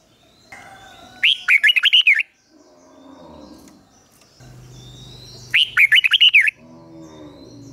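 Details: Red-whiskered bulbul decoy bird calling wild rivals to a fight, giving two similar bubbly whistled phrases several seconds apart over a steady low background hum.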